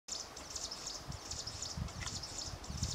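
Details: A Himalayan prinia among hillside shrubs in the Himalayas gives its repetitive call: high, thin, scratchy notes in quick repeated bursts over a low rumble of wind.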